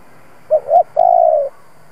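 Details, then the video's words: Spotted dove used as a mature decoy to get doves cooing. A clipped first note, a swelling second note, then a long smooth coo easing downward, with the setting otherwise silent. "Cu gáy mồi siêu kích bổi, giọng hay kích là gáy hiệu quả 100%. Tiếng chim cu gáy kích bổi"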